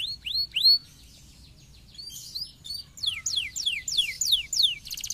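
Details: Canary singing to stimulate lazy canaries: a few loud rising-falling whistled notes, a brief pause, then a fast series of descending sweeping notes ending in a rapid high buzzy trill.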